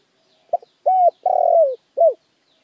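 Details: Spotted dove lure song: a short soft note, then three loud cooing phrases around mid pitch, the long middle one wavering and falling, the last arched and brief; quiet background.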